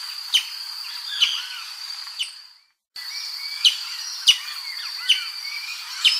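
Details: Brazilian tanager (Ramphocelus bresilia) song: sharp, clipped notes about a second apart with soft curling whistles between, over a steady high-pitched insect whine, with a brief break midway.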